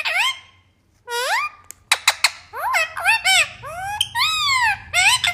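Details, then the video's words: Indoor parrot giving a rapid series of squeaky, rising and arching calls in bursts, some sounding speech-like, separated by short clicks and brief pauses, with a faint low hum underneath. "beautiful parrot sounds"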